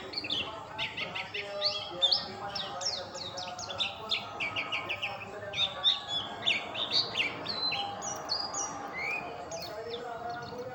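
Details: Oriental white-eye singing a fast, busy stream of high twittering notes, sharp chips and quick falling whistles tumbling without pause, with a faint background hum.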